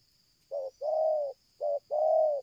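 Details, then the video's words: Spotted dove (tekukur) calling strongly, used as a lure bird for trapping; soft low cooing notes in two pairs, each a short coo followed by a longer drawn-out coo, over a steady high background hiss. "tekukur ini kuat nguku dari jauh mendekat nguku takberhenti"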